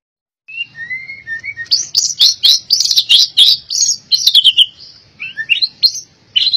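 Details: Albino white-rumped shama song opening with soft whistled notes, then a long series of sharp high chips and rattles, ending with short rising whistles.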